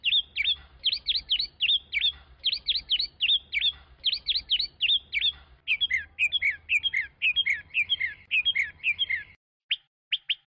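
A Chinese hwamei sings loud, rich whistled phrases, rapid repeated notes in bursts of three or four, shifting to slurred, descending motifs, with a faint low hum beneath.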